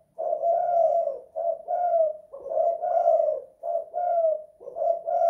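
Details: Spotted dove singing indoors in the local two-kuk, one-guk style: a steady run of low, hollow coos with short breaks, each phrase swelling then fading, about one per second, no other sounds.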